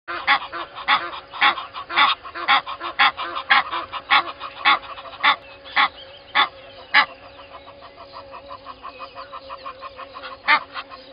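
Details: Egyptian goose pair at Gowrie dam waterhole, Djuma Game Reserve, Sabi Sand Wildtuin, South Africa, at 05:32 on 12/01/20, caught by a live waterhole camera. Loud harsh honks come about twice a second, then give way to quieter rapid pulsing notes that fade out.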